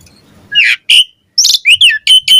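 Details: Asian pied starling singing in the morning to lure other starlings: a short sequence of harsh chirps followed by bright slurred whistles.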